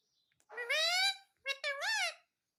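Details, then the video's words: Pet parrot indoors saying "mummy" in a high, nasal, speech-like voice: one drawn-out rising syllable, a short gap, then a quick two-part utterance with a dip and rise. "Mummy Mummy Bolne Wala parrot"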